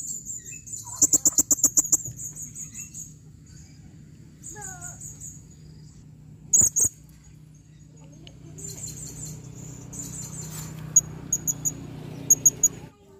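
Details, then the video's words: Female blue-crowned hanging parrot calling: bursts of very high, thin, rapid ticking notes in short clusters, with scattered single high chips and soft low background rumble. "serindit betina memanggil"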